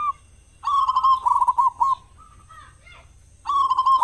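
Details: Loud local zebra dove sung to lure other doves into calling in the morning and evening; a long rolling coo phrase of quick repeated notes, a fainter higher note after it, then another phrase begins.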